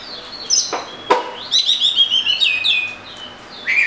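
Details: Oriental magpie-robin song with a rapid series of clear whistled notes, a descending phrase and sharp clicky sounds at the start.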